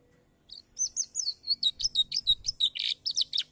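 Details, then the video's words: Canary praised as 'gacor', meaning it sings eagerly at all times. After a brief quiet, it gives a rapid series of high, bright whistled notes, about fifteen in three seconds, evenly spaced and ending in a buzzier note. "kenari gacor"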